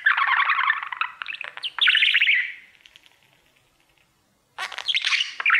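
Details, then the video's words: A male budgie sings to his mirror, loud scratchy chattering warble with fast clicks and squeaks, a pause of about two seconds, then more chatter. "3 Hour Budgie sounds | Cookie and his Mirror singing"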